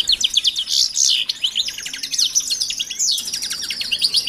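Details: European goldfinches in an aviary alongside canaries, settling into their new home ahead of pairing. Loud, dense chattering of quick tinkling and trilled notes, unbroken for the whole stretch.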